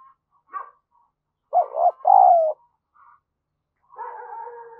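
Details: Spotted dove calling as a lure to excite other doves: one low two-part coo, a brief note then a drawn-out, gently falling one. A short sharp note comes before it and a steady humming tone follows.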